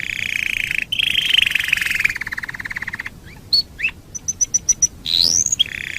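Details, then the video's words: Canary master recording for bird training: a gently descending trill, scattered chips, a row of five pure high pips, then a rising whistle into a trill. "Masteran Suara Kenari"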